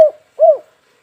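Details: Spotted dove calling vigorously as a lure for other doves: the tail of one note cut off at the start, then one clear, hollow, arched coo in a quiet setting.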